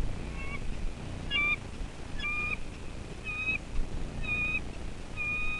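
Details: Newly hatched bald eagle chick in its nest at Two Harbors, Catalina, California, USA, recorded 11 April 2023; short thin high whistled peeps repeated about once a second over low background rumble.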